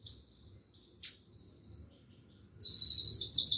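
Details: Singing Himalayan goldfinch, thin high notes and a sharp downward chirp, then a loud burst of rapid, bright twittering at the end, steady low hum underneath.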